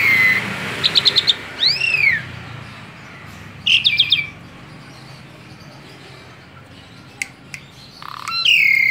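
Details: Asian pied starling, a tame bird, gives scattered phrases: a short whistle, rapid buzzy clicks, an arching whistled note, then a long quiet stretch before a final descending whistle.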